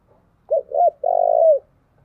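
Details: Lure song of a spotted dove for attracting wild birds: two short mellow coos lead into a sustained low purring note, slightly falling as it fades, clear against a silent background.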